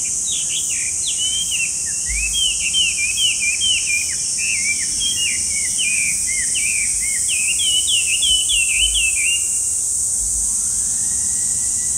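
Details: Chinese hwamei singing a fast run of loud whistled notes, each a sharp upward or downward slur, tumbling in quick succession for about ten seconds over a constant high insect-like buzz.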